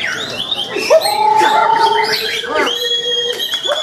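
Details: White-rumped shama singing at a songbird contest, the 1st Anniversary Kenari Kota Sumedang, Sumedang, Indonesia, Sunday 12 March 2023, where it won a hattrick. Clear whistled phrases with rising slurs and a long steady note, with other birds' chirps and buzzy notes around it.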